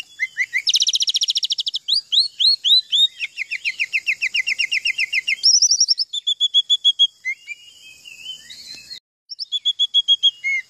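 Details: Canary-mimicking song of an oriental magpie-robin: rapid rolling canary-style trills alternate with runs of repeated rising whistled notes and chattering phrases, all high-pitched, with a brief pause near the end.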